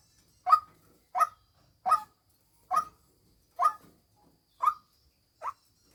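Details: Female white-breasted waterhen used as a decoy bird: seven short, harsh, nasal notes given at a steady pace, roughly one every 0.8 seconds, over a quiet, clean background.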